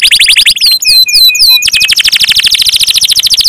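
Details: Gacor canary song: fast, bright trills broken by a short run of clear whistled notes, then a rapid, steady high trill to the end.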